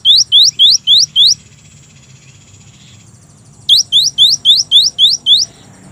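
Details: Gelatik batu, the cinereous tit, in lively song. Bright upslurred whistles come in rapid, even bursts: five quick notes, a pause of about two seconds, then eight more, roughly four notes per second. The background is quiet.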